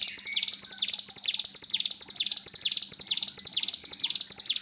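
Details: Mountain tailorbird in breeding condition, recorded as a training lure for singing birds: fast run of sharp, high descending chirps, roughly two per second, evenly spaced and continuous throughout, with a soft background hum.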